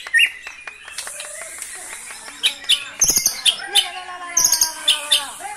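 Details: White-rumped shama, a kept songbird from Cilacap, Indonesia, in full song with brantakan fill: high sharp chirps and clicks over faint lower whistles, bursts of notes coming in quick clusters.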